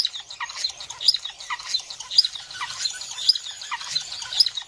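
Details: Star finch (Bathilda ruficauda) gives a busy stream of thin, high chirps and short squeaky notes, with sharper peeps about once a second; calls.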